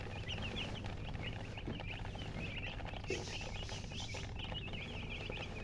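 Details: Freshly hatched chickens chirp loudly as a group: steady streams of short, high, curling peeps, evenly spread across the whole stretch, with a low mechanical-sounding hum underneath.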